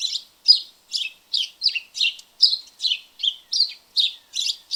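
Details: House sparrows visiting a backyard: a steady run of about thirteen sharp, buzzy chirps in under five seconds, each a short burst with near-even gaps and a slightly uneven rhythm, no other sounds heard.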